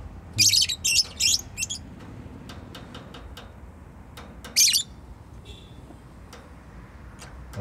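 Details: Pet bird producing a quick series of four high, scratchy chirps, a few faint ticks, then one more strong chirp, with low background hum.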